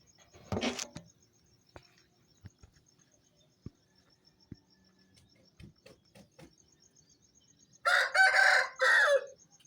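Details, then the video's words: An Aseel rooster on a farm gives a harsh, ragged crow in two bursts near the end, a dawn wake-up call at about 4:30 am. Before it come scattered clicks and knocks, a short rustle and faint insect chirps. "Rooster Sound effect - Relaxing Nature 4:35am"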